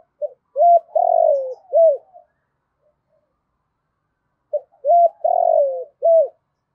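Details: Decoy spotted dove cooing to lure wild doves: two loud, low hooting phrases about four seconds apart, each a short note, a clipped hoot, a long falling coo and a final hoot, in otherwise clean silence.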